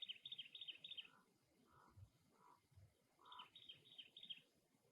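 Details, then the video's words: Cactus wren near its nest, with two rapid chattering bursts of harsh, scratchy notes. Softer, lower whistled notes from another bird sit between them. "Cactus Wren Bird - Call and Nest"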